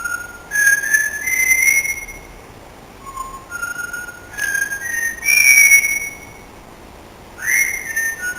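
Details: Parrot whistling the tune of Singing in the Rain on a sunny day: clear, pure whistled notes in slow phrases, some held and some sliding upward, each about a second long with short pauses between, and no other clear sounds.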